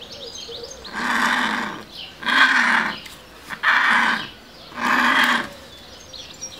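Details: Griffon vulture (Gyps fulvus) at the Jerez zoo-botanical garden in Spain giving four hoarse, drawn-out grunting calls, each under a second long, roughly one every second and a half, over faint background noise.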